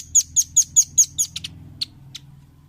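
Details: Velvet-fronted nuthatch on a training recording for caged birds: six sharp, high, ringing chips in even quick succession, then a few softer, scattered notes. Background is quiet.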